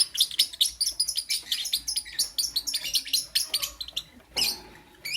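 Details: In the morning, lovebirds give a fast series of sharp, high-pitched chirps, several per second, in a lively chatter that pauses briefly near the end before one loud shrill burst and a final chirp.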